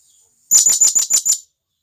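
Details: One quick series of six piercing, very high notes, each a squeaky chirp, from a wild blue-crowned hanging parrot calling to its companions; nothing else heard.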